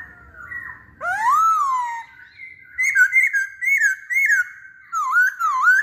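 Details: Masked laughingthrush singing loud, fluty whistles: a long swooping upslurred note, then a series of short wavering whistled phrases, with brief squeaky notes between them, in a quiet indoor setting.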